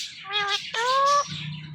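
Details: Pet rose-ringed parakeet talking while watching its own videos: two harmonic, voice-like notes, the second longer and level, with music playing faintly behind.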